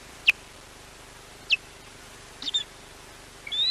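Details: Osprey warning off a rarely seen intruder at Llyn Clywedog, Wales, caught on a wildlife camera: sharp, short descending whistled notes at irregular gaps, with a faint low hum underneath.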